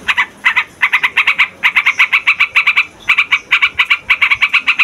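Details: Yellow-vented bulbul, loud and busy, played as a lure for trapping wild birds: rapid bursts of harsh, ringing notes repeated about four per second in runs, with brief pauses between series; no other sounds.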